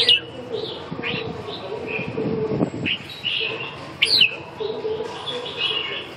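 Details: Red-whiskered bulbul giving probing calls while sizing up a rival: short slurred chirps and a sharp upswept note, scattered over a steady background hiss and low murmur.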